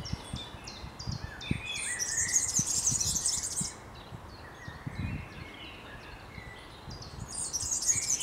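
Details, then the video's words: European serin song recorded in a Berlin graveyard: long, shrill, buzzy jingling phrases of very fast high notes, a pause, then the jangling resumes, with faint rustling and background noise. "The European Serin (Serinus serinus) song."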